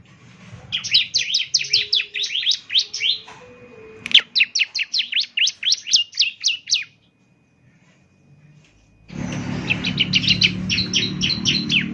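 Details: Bar-winged prinia (ciblek) in energetic 'gacor' song, played in the morning to get other birds to reply. Three fast trills of sharp descending chips, the last set over a louder background hiss.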